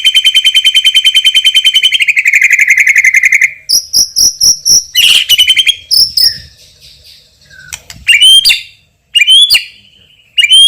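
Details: Champion white-rumped shama with loud, strong voice and rich fill phrases; opens with a long, even, insect-like buzzing trill, then bursts of clicks, sharp high whistles and rising upsweeps with short gaps.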